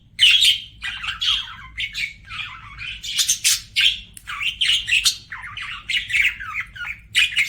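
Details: Budgie song: continuous chattering warble of rapid mixed chirps, squeaks and buzzy notes, dense and varied throughout, with brief loud bursts near the start and middle.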